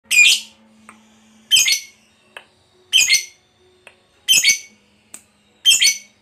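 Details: Lovebird of the fighter type, recorded as a lure to set other lovebirds chattering: five harsh, buzzy squawks spaced about every 1.4 seconds, with short clicks between and a faint low hum underneath.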